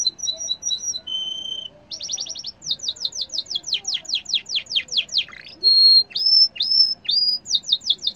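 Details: Yellow canary in full song: rapid trilled phrases open the sequence, then a steady run of quick descending sweeps, a buzzy dip, and several rising whistled notes with hooked ends.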